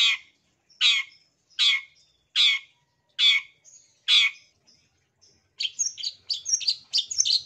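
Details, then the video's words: Long-tailed shrike sound for prompting caged birds that have gone quiet: six loud, grating squawks about every 0.8 seconds, with faint whistles between, then a quick jumble of high twittering notes. "Suara Cendet Ini AMPUH Mengatasi Cendet Macet Bunyi, Mbagong dan Mbayi !"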